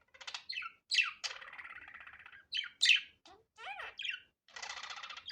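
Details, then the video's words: Budgerigar chatter, unedited: sharp chirps alternating with longer buzzy, grating notes and a couple of quick rising-falling whistles, loud and close throughout. "Muhabbet Kuşu Doğal Sesi"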